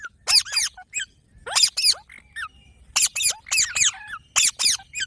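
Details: Parrot uttering quick bursts of high squeaks and rasping squawks, paired notes in groups, brief silences between clusters.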